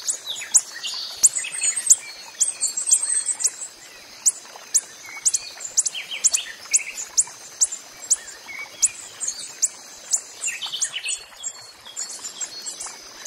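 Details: Wild coppery-headed emerald, a hummingbird: a long series of very high, thin, clicking chips repeated roughly every half second to second, fairly regular, over a constant high-pitched background hiss.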